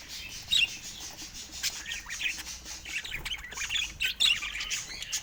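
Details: Budgerigars kept as pets chatter in a steady stream of high scratchy chirps and clicks, with a few louder squawks standing out near the start and toward the end.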